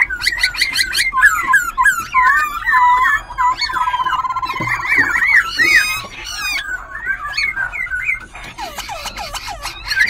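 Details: Captive White-cheeked laughingthrush, kept about a month and a half in Bình Chánh, Ho Chi Minh City, singing all day and dancing its tail and wings: rich, fast-changing whistled, slurred and chattering song, continuously switching phrases.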